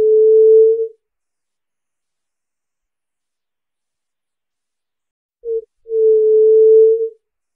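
White-tipped Dove giving low, hollow, pure-toned coos: one long note, then after a pause a brief note followed by a drawn-out moan. Nothing else is heard.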